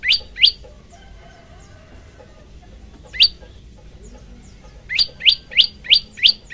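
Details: Male Bar-winged Prinia (prenjak lumut) singing actively, recorded on a Samsung Galaxy M11 phone: sharp, high, downslurred chirps, two early notes, one lone note, then a quick run of six evenly spaced notes at the end, faint hum beneath.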